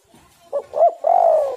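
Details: Spotted dove cooing, played as a lure to make caged doves sing: a brief low coo, a louder arched coo, then a drawn-out throaty coo that fades slightly at the end. Clean, quiet background.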